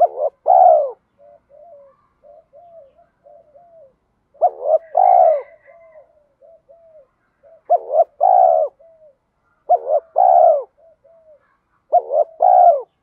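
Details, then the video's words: Spotted dove coo, thổ voice mixed with thúc, meant to make caged birds coo all day. Loud two-plus-one phrases are spaced a few seconds apart. Soft, quiet coos from another dove run between them. "Tiếng chim cu gáy giọng thổ pha thúc đấu vấy bổi, dùng tập bổi và tập mồi gáy theo cả ngày"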